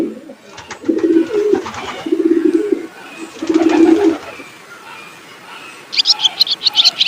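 A pigeon gives three low, rolling coo phrases about a second apart. High, quick chirps from a small songbird follow at the end.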